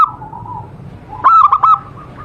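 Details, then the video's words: Brief phrase of three or four punchy coos from a local zebra dove at a homemade trap, following a soft low cooing from another dove. "Perkutut Lokal Gacor"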